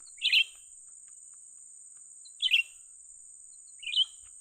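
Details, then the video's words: Young cucak ranting bulbul during bird trapping gives three short, rich chirping bursts, roughly two seconds apart, over a steady thin high-pitched whine. "memikat burung cucak ranting muda mantap"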